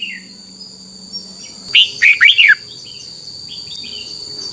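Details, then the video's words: Red-whiskered bulbul song from Thailand, played so young birds copy it. A low hum fades out, then one brisk phrase of four bubbly notes, with faint soft chirps and a steady high whine around it. "นกกรงหัวจุก, 30 นาทีทุกเช้า เพื่อให้นกเรียนรู้ที่จะพูดได้อย่างรวดเร็วและหนักแน่น"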